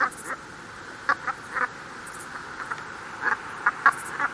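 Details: Brent goose from the UK, a flock calling: short, nasal, honking notes given in scattered bursts, some doubled or tripled, over a steady background hiss.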